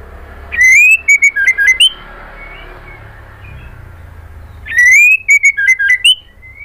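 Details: Female white-rumped shama calling the male: two bursts of clear whistled notes, each opening with a loud rising slur followed by several short, slightly descending whistles, separated by a quiet pause of about three seconds.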